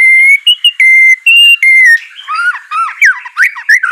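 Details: White-rumped shama song used to prompt a reluctant bird: long pure whistles alternating between two pitches, then a jumble of quicker, warbling slurred notes.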